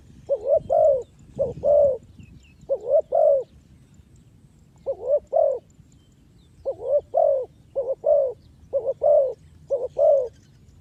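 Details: Spotted dove lure call for trapping; repeated groups of two or three short hollow coos, each group separated by brief pauses, steady low pitch, quiet background.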